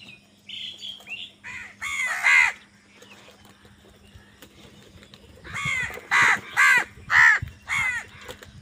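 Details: Crows squabbling for food: harsh, nasal caws come in two bursts, a rising pair of loud calls early on, then a rapid run of five or six strident caws with shorter notes between, over a low steady hum.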